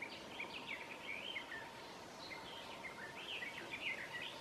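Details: Garden warbler singing at midsummer in Southern Savonia, Finland: a fast, sustained, mellow warbling run of varied notes, briefly pausing near the middle and then resuming, over a steady background hum.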